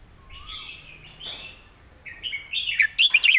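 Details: Red-whiskered bulbul delivering a clearly phrased master song with emphasized words: a low whistle and drawn-out warbled notes build into a fast, loud string of sharp chirps at the close.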